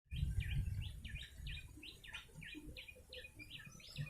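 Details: Yellow-bellied prinia call used as a lure for trapping birds: a fast series of short chirps, roughly three per second, each a quick rising-then-falling note, over low rumbling background noise.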